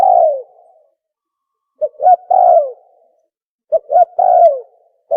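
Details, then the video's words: Spotted dove (tukmo) call played to lure birds for hunting: low cooing phrases of two short notes and a longer falling coo, repeated about every two seconds. "Tukmo sound effective sound call | for Hunting"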